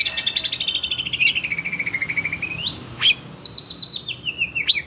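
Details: Oriental magpie-robin (kacer), stirred up by other birds, runs a long fast trill that dips and climbs back, then adds sharp whistled accents and a descending series of short notes.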